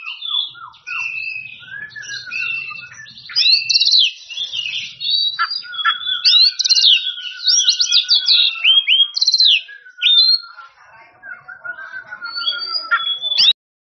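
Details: Oriental magpie-robin in loud song to draw rivals: long varied sequence of bright whistles and buzzy chatter over a lower, repeated whistled note, ending abruptly.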